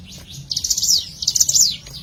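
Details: Bar-winged prinia lure call: two bright, fast, high trilled phrases in quick succession, each a string of sharp staccato notes that ends in a falling sweep, with a low background rumble.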